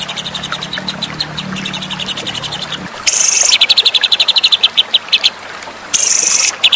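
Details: White-rumped shama in a masteran recording used to train contest birds: quick chattering notes over a low hum, then a loud harsh burst and a lively run of rapid repeated notes.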